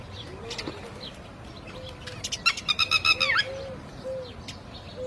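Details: Red-wattled lapwing calling in alarm after losing its chick: a burst of rapid, sharp, harmonic-rich notes repeated quickly around the middle, with fainter scattered calls and a low hum of background noise.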